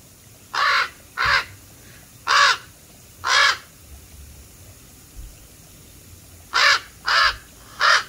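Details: Black crows giving harsh, hoarse caws, two pairs in the first few seconds, a quiet gap, then a burst of three more caws near the end.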